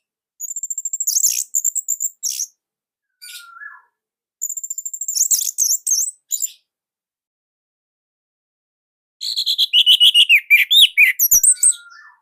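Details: Orange-headed thrush from Indonesia in full song, with a unique, fairly dense and loud style that serves as master song for training other birds. High whistled and buzzy phrases come in bursts, then pause, and end in a run of rapid slurred notes.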